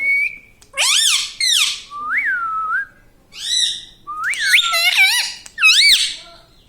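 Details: Talking pet parrot said to say "mummy papa": a string of about seven arched, nasal, speech-like calls, some rising and falling, with a short flat whistle at the start and brief pauses between calls.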